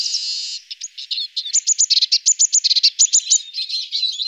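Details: Eurasian siskin nibbling alder cones, opening with a thin buzzy tone, then rapid bright chirps repeated in quick succession, crisp and high-pitched, ending in a scratchy twitter.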